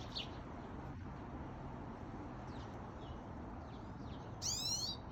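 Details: Pine Siskin at a backyard bird feeder in Calgary, Alberta, 9:50 am on 9 August 2021, giving a few thin high chirps, then a harsh, buzzy rising zreee near the end, over a steady low rumble.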